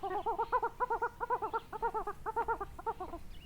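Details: Coot at Chiflón, 3 January 2025, 8:11 in the morning: a rapid nasal chattering series of harmonic syllables, about two per second in bursts, running steadily almost without pause.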